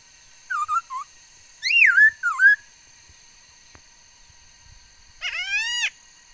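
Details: Female laughingthrush, a bird said to make many kinds of sounds, recorded 13 August 2021; a few short whistled notes, then a sweeping slurred phrase and later a long harsh, buzzy rising note.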